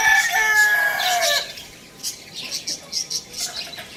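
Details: A rooster crows loudly: a strong harmonic, drawn-out call lasting about a second and a half that bends downward at its end. Afterwards, small birds keep chirping busily in the background.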